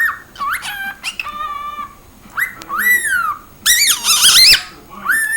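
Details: Cockatiel uttering squeaky, harmonic-rich calls that arch up and slide down, with one rough, buzzy burst near the end and a final rising whistle.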